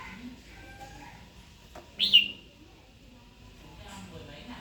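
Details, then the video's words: Female red-whiskered bulbul voice used to rouse a wild-caught male to fight; a single loud, sharp chirp rising then dropping, surrounded by quiet background with faint low notes. "Chào mào hót tiếng mái kích bổi"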